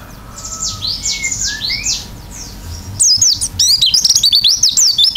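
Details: Oriental white-eye in lively, open-beaked song in the local 'gacor isian' style: faint descending whistles, then from midway a burst of rapid, very high twittering chirps and sweeping notes.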